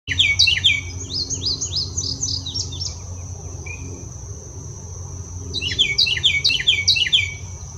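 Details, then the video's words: A Carolina wren sings its territorial and mating song, often the first morning song, announcing territory and attracting a mate: two loud bursts of rolling, repeated three-note phrases, bright and ringing, over a steady high insect hum and low rumble. "Carolina Wren Song"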